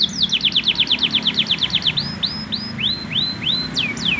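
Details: Young male canary practising its song. It opens with a rapid tour of about fifteen identical downslurred chirps, then gives slower, separate rising-then-falling whistles spaced roughly a third of a second apart. A low hum runs underneath.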